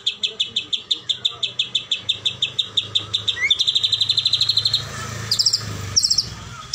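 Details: Medan white-rumped shama in a rattling keretekan call meant to provoke a rival: a steady series of dry ticks, about four per second, speeding into a continuous buzzy rattle, then a few sharp chips.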